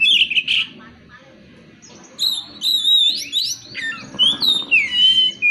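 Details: Oriental magpie-robin (kacer) song played as a lure to get other birds singing: a burst of harsh notes, a quiet pause, then high looping whistles and bright slurred phrases.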